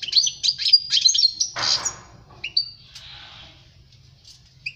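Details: European goldfinch song meant for tutoring young birds: a short burst of high twittering notes followed by a harsh rasping note and a few scattered sliding calls with quiet gaps.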